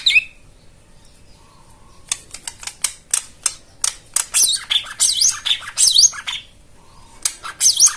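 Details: White-eye song used to stimulate silent caged birds into singing. About two seconds of near-quiet, then sharp clicks that build into a busy, very high twittering with scratchy trills.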